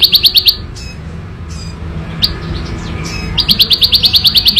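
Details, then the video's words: Wild ciblek sawah prinia giving loud, clear ngebren song. A short run of fast buzzy notes is followed by a pause of scattered soft chirps, then the rapid chip series starts again. "Suara Ciblek Sawah Ngebren Asli Alam – Jernih & Keras Bikin Burung Lain Ikut Bunyi"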